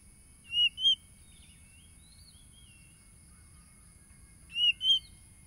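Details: Oriental magpie-robin song recorded on a phone on Saturday 30 July 2022 in Tulus Rejo village, East Lampung, Lampung, Indonesia, used as a lure to rouse caged birds: two clear whistled notes, then a pause, then a matching pair about four seconds later.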